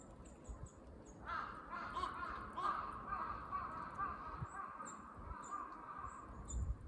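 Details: Crows making noise in a park where squirrels are being watched: a run of harsh, hoarse caws starting after a second and carrying on for several seconds, with faint high chirps from other birds over low background rumble.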